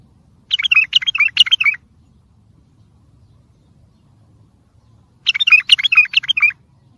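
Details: Singing bulbul, tayyariyat style, meant to train and stimulate other birds: two matching bursts of fast chattering whistles, each about a second long, separated by roughly four seconds of near silence.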